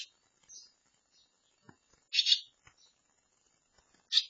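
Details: Barn swallow chicks close to fledging in a handmade nest given after their nest-building site was wrecked; high, harsh, buzzy squeaks in short bursts, one loud burst mid-clip and another at the end, with soft chirps and light tapping.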